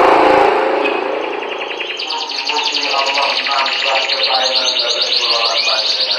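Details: Canary song with fast buzzy trills and high whistled notes running steadily, partly masked by a broad background hiss.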